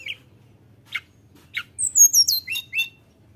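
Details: Sunda robin song aimed at stirring rivals: a few isolated falling notes, then a quick cluster of very high whistles sliding downward, over a quiet background.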